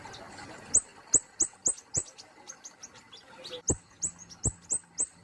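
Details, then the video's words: Kemade polos songbird from Indonesia giving a rapid series of sharp, very high chirps, each a quick downward slur, repeated several times a second with a brief pause midway. "KICAUANNYA BELUM BANYAK DIKETAHUI || BURUNG KEMADE POLOS"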